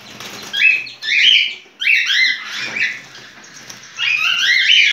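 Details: Mating call of a cockatiel in breeding condition, a series of loud bright warbled chirps and slurred whistles in several bursts, sliding up and down.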